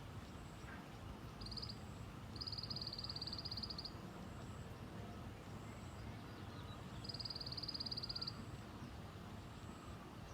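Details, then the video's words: A white-eye's 'tành tạch' song: a short tick burst, then two longer dry, high rattling trills of fast even clicks, with continuous low traffic noise behind. "Tiếng chim sâu lác ( tành tạch )"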